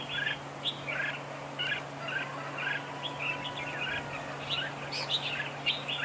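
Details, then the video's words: Red-whiskered bulbul used as a decoy in a trap duel, singing in duel style. Short chirpy phrases repeat through the clip over a steady low hum, with several slurred notes overlapping. "Bẫy đấu chào mào cực đẹp, hót cực hay"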